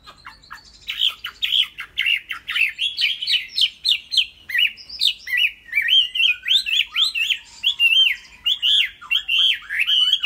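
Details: Tame caged Chinese hwamei pours out a long, continuous stream of fast, jerky whistled notes, zigzagging up and down in pitch with barely a pause throughout.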